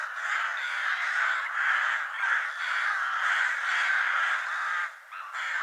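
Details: Harsh, hoarse caws from numerous crows quarrelling over food overlap continuously, the noisy chorus briefly thinning near the end before resuming.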